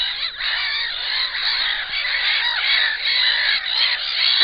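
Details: Black-winged stilts at a nest with an enlarged clutch keep up an unbroken chatter of rapid, nasal yelping notes from several birds, fairly even in loudness throughout.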